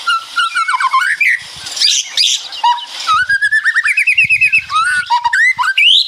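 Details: White-rumped shama with rattling 'ngeretek' song, birds answering each other: varied whistled phrases, rising and falling, then a long string of rapid rhythmic chattering notes ending in an upward whistle.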